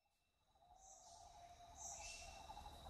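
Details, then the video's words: A Buffy fish owl in Khao Yai National Park gives a long, steady, mid-pitched moaning tone that wavers slightly, over shrill insect buzzing and a low background rumble. "Buffy Fish Owl"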